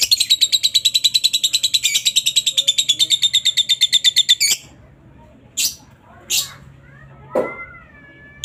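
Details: Ngekek chattering from a lovebird, used to stir a rival to reply: rapid, shrill, evenly pulsed trilling for about four and a half seconds, followed by a quiet pause broken by three or four brief harsh chirps.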